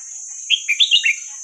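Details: Hua krok khayao khuat style song of a red-whiskered bulbul, played for young birds to learn: a single cheerful phrase of five clear, bouncing whistled notes in quick succession, against a steady thin hiss.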